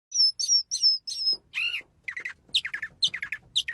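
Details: Birdsong: four clear high whistled notes, each slightly falling, then a buzzy burst and quick bright chirping phrases of short rapid notes repeated in tight groups; quiet background.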